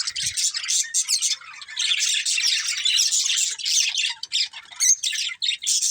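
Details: Chirping budgerigars in a steady stream of harsh squawky notes and high twittering, tightly packed with only brief dips.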